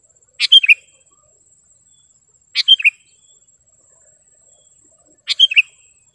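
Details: Sooty-headed bulbul with a sharp, clear voice, recorded for training caged birds and luring wild ones in gardens: three bright, chortling three-note phrases about two and a half seconds apart, with a thin steady high hiss behind.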